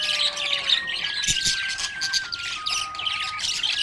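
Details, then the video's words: Budgerigar chirping happily: fast, gritty warbled chatter and sharp squeaks over a soft, slowly stepping musical tone in the background. "Happy budgie chirping sound"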